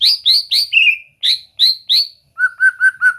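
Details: White-rumped shama song used as singing practice: bright, slightly buzzy high notes in quick pairs and triplets, a brief gap, then five evenly spaced clear lower whistles.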